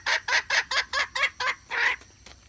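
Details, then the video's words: Hen calling, said to draw birds well for trapping: seven short rough clucks at an even pace, followed by one longer, louder drawn-out harsh note. "เสืยงไก่แม่ร้องต่อเข้าดีมากsuab poj qaib seev zoo cuab heev"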